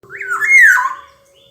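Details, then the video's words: Black-naped oriole (kepodang) giving a single fluty, whistled phrase that climbs, levels, then slides down, lasting under a second, with a faint steady low hum underneath. "Burung Kepodang"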